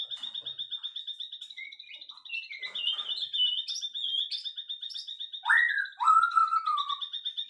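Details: Afternoon birdsong with scattered short chirps and warbled notes, then two strong upswept whistles that level off and fade, all against a continuous fast, shrill, pulsing trill in the background.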